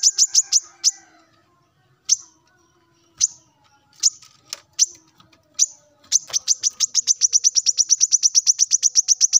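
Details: Morning song of a male plain-throated sunbird calling to rivals: scattered single high chips spaced a second or so apart, then an accelerating rapid series of thin, sharp repeated notes that runs to the end.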